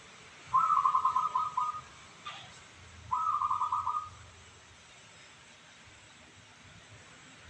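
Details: Local zebra dove, its voice described as crystal, sings two short phrases of rapid, throbbing cooing notes. Each phrase lasts about a second and is evenly pulsed, with a faint low hum beneath.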